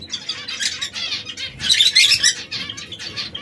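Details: Three canaries, one red, one yellow and one brown, small exotic birds that now and then squabble; bright harsh chirps and buzzy notes tumble over one another in a dense high burst, loudest in the middle.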